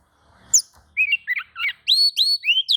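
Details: Oriental magpie-robin responding excitedly to a rival's song with a quick run of scratchy chirps that turns into loud, clear, repeated whistled phrases.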